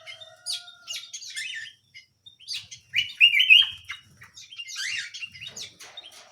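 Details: Small canary singing a lively stream of sharp chirps and twitters, peaking in a loud sustained trilled phrase midway, then more rapid twittering notes.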